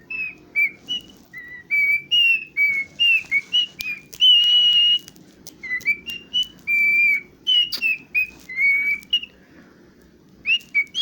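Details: Cockatiel whistling in a long tuneful sequence of pure, clear notes, some held and some sliding up or down, grouped in phrases with short gaps, plus faint clicks in the background.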